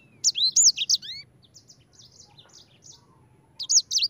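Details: Yellow-fronted canary (sanger) in ngerol song: a quick burst of bright, high slurred whistles, then a quieter pause with softer notes before another sharp, loud phrase starts at the end.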